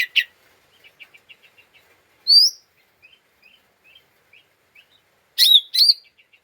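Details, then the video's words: Lesser green leafbird, agitated chatter meant to provoke other birds: an opening harsh note, a soft ticking series, one loud rising whistle, then two strong rasps and faint clicks. "Pancingan Cucak Ijo Mini Cimin Malasa bunyi / ngeriwik / Emosi tidak stabil"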